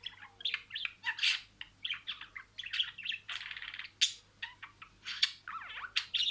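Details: Pet budgerigar talking through a string of words. Raspy, hurried warble of clicks and whistled squeaks, ending with a fast down-and-up slurred note.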